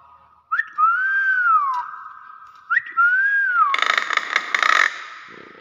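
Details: Pair of matching whistles from a Nias hill myna. Each starts with a sharp upward flick and curves over into a falling arc. Loud clapping and noise follow.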